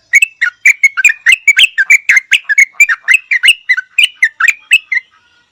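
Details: Yellow-vented bulbul giving a steady series of about twenty bright, chirpy slurred notes, evenly spaced several per second throughout, clear and loud with no background noise.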